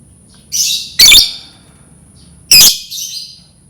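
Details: A lovebird sound intended to teach lovebirds to chirp: harsh, high, buzzy chirps paired with sharp shrill squawks, two bursts about one and a half seconds apart, over a faint steady high hum.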